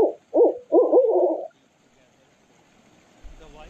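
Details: Barred owl giving four low, throaty hoots in quick succession, the last longest and wavering, followed by quiet with a faint low rumble near the end.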